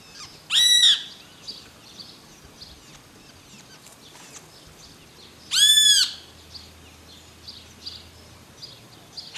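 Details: Great kiskadee in Córdoba, December 2012, giving two loud, strident, slightly arched calls about five seconds apart, with faint chirps of other birds in between.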